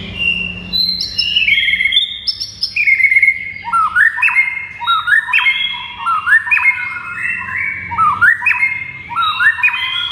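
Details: Loud white-rumped shama song meant to make rival shamas reply and rage, opening with high sweeping whistles, then rising stepped whistle phrases repeated about once a second.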